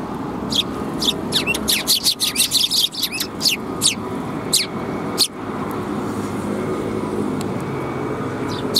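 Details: Sparrows coming to be fed at a Tenmangu shrine on 28 December 2021: a burst of short, sharp chirps packed between one and three seconds, then scattered single notes, over a steady low traffic rumble.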